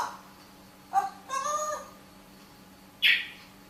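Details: A parrot gives a brief word-like sound, then a drawn-out, nasal, tonal syllable and, after a pause, a sharp, hissy burst, over a faint indoor hum.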